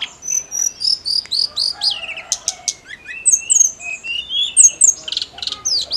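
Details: Snowy-browed flycatcher in full, steady song used to stimulate other songbirds: a busy stream of high, sweet slurred whistles, downward-swooping notes, brief clicks and sharp high chips, with barely a pause across the phrase.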